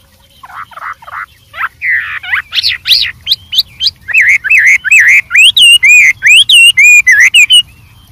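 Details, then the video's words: A wild white-rumped shama sings a highly varied song: low wavering notes, then sharp rising whistles, settling into a fast series of loud, looping whistled notes. "suara Burung Wambi Gacor Variasi Banyak dialam liar"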